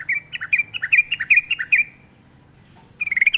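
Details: Wild sooty-headed bulbul in lively song with natural background, meant as a lure for kept birds: a string of about nine paired, bouncing whistled notes, silence, then a quick closing flourish.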